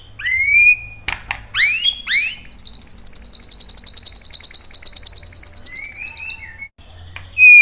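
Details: White-rumped shama lure song for drawing replies from other birds: a few steep rising whistles, then a long, very high, rapid trill lasting about four seconds, closing with soft low notes.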